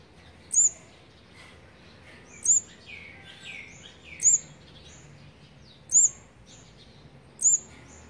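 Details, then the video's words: Olive-backed sunbird nest with its fourth brood being fed, feeding day 18, recorded 8 March 2020; five piercing high hooked notes come every one to two seconds, with softer mid-pitched chirps in the middle. "นกกินปลีอกเหลือง รุ่น๔ ป้อนอาหารวันที่๑๘"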